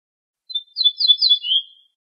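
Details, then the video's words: Ortolan bunting sings a short song: a few quick, high, ringing notes, then a lower, drawn-out closing note, with nothing else heard; ortolan bunting. "طائر درسة الشعير(البوح)Bruant Ortolan"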